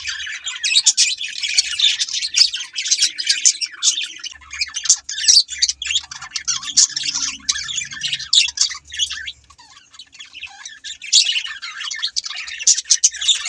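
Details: Thick, nonstop budgie chatter fills the air, many birds chirping and squawking at once in a bright, scratchy wash, dipping briefly near the tenth second before swelling again.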